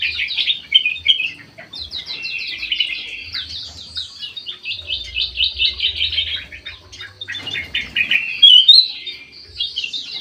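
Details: In an aviary, a white-eyed golden bulbul sings busily. Fast trills of short chirps run for seconds at a time, broken by brief pauses, with a faint low hum underneath.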